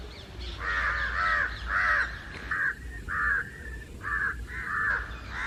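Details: Many house and jungle crows united in loud crowing against an unseen target near trees, calling constantly; a run of coarse, nasal caws, some stacked back-to-back, others spaced by half-second pauses.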